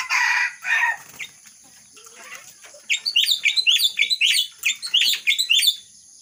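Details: Myna mimicking a red-whiskered bulbul: two rough harsh notes open, a quiet gap with scattered clicks, then a lively sequence of quick, looping whistled phrases over a steady high-pitched hum.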